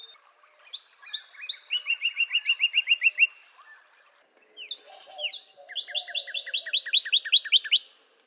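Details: Northern Cardinal song, softer and a little more distant: rising slurs then repeated whistled notes, with a second phrase where notes seem doubled at two pitches.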